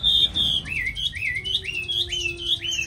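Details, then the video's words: Caged, hand-tamed Chinese hwamei, noted for a fine voice and ready singing, repeats a clear whistled phrase: a high held note followed by rising-then-falling slurred whistles, about three times per second, with a faint steady tone underneath. "Mi thuần cb98123 giọng rất hay mau mỏ"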